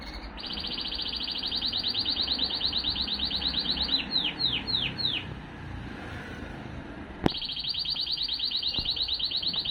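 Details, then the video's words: Male Timbrado canary from 2023 producing a long rapid rolling trill, then a few slower looping notes, a pause of hissing background, a sharp click, and another sustained fast trill. "Τιμπράντο Καναρίνια 2023 ♂️ Part3"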